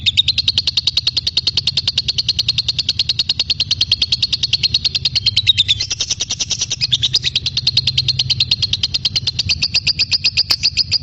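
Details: Lovebird giving a sustained song for magpie-robin training, a steady stream of rapid squeaky pulses with slight pitch shifts, over a low constant hum.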